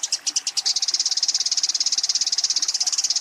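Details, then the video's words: Fighting Eurasian tree sparrow calling its rival: a handful of spaced chirps quickly merge into an even, very fast, high chattering trill that holds steady. "suara burung gereja tarung memanggil lawan"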